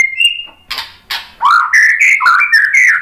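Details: White-rumped shama song: a thin, level whistle, two harsh noisy bursts, then a quick series of rising, bright whistled phrases repeated about four times a second.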